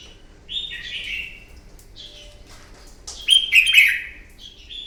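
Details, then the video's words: Wild-caught red-whiskered bulbul singing its fierce morning fighting song for voice training. A slurred descending phrase, a few quieter notes, then a louder, rolling warble and a short closing whistle. "Kích chào mào bổi hót đấu, luyện giọng chào mào hót đấu buổi sáng kích chim hót đấu căng lửa"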